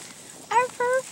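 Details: Ret, a female scarlet macaw living with a dachshund, gives two short, hoarse, bark-like notes about a quarter second apart, copying a dog's bark; faint room noise around them.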